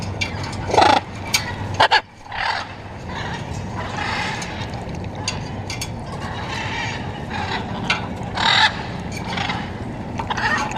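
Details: Blue-and-yellow macaws visiting a balcony water drinker in Caracas, Venezuela give harsh, raspy squawks: two quick ones near the start and another later, over a steady hum like distant traffic.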